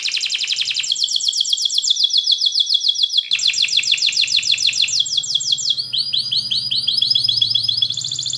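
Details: Canary in long, dense rolling song with emotive cuit-cuit chirps, used to teach young canaries to sing: continuous high, fast rattling trills that switch pitch and tempo every second or two without pause.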